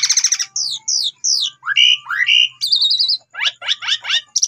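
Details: Varied Asian pied starling song played to coax other birds into singing: quick chattering bursts, sweeping downslurred whistles, a wavering trill and several sharp rising notes, with faint low hum in the background.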